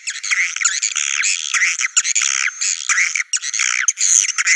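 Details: Swiftlet calls, Naga Merah type, meant to lure the birds to nests: continuous shrill scratchy twittering with rising and falling buzzy notes, almost without pause.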